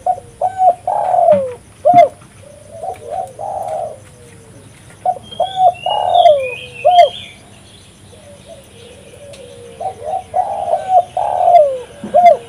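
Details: Spotted dove (Spilopelia chinensis), coo call.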